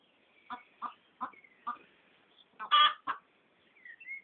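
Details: Pekin duck laughing at someone: four short evenly spaced nasal quacks, then a louder, broader raspy double quack near the end, with faint higher squeaky notes trailing off.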